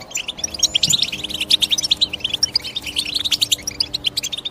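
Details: Chirping of European goldfinch, a continuous stream of rapid, high tinkling tweets and short buzzy twitters that overlap densely throughout, over a soft, steady low drone.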